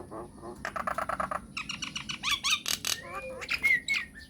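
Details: Myna lure song to make other mynas respond: dense runs of chattering, squawky notes in quick succession, followed by thin slurred whistles.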